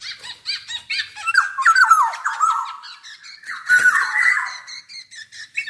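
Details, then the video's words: Black-naped oriole from Java calling vigorously, short nasal squawks and falling whistled notes, then a harsh rasping burst followed by brief squeaks. "Burung kepodang jawa gacor"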